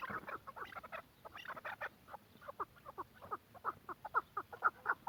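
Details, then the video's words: Chukar partridge from Quetta in an excited calling bout: loose series of short, sharp chucking notes, irregular at first and then settling into louder, evenly spaced clucks, about two per second, over a low background hum. "کوئٹہ چکور کی مستی کا شوق کریں be font of quetta partridge"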